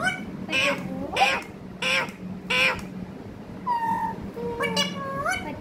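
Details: Talking parrot: a run of short, buzzy, speech-like syllables with rich overtones about every half second, then a few clear whistled tones that rise and bend near the end, over a steady low hum.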